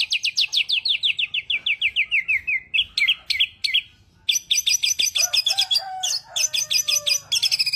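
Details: Lively songbird delivers a long descending chain of clear whistled notes, then a pause and a burst of rapid, varied high chirps with a few softer lower whistles.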